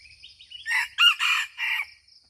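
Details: Crow of a red junglefowl from Aceh: four harsh syllables, the second brief and pinched, the last two drawn out, following a few thin rising whistles from another bird; insects buzz steadily.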